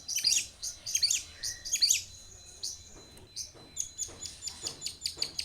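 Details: Long-tailed shrike song used as a lure to make other shrikes sing, with clusters of high, sharp chattering notes, then a softer run of short rapid notes and thin whistles.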